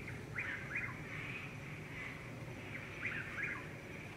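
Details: A Chuck-will's-widow (Antrostomus carolinensis) calls in the dark in Florida, repeating its quick whistled phrase to attract a mate, with a steady hum of tree frogs behind.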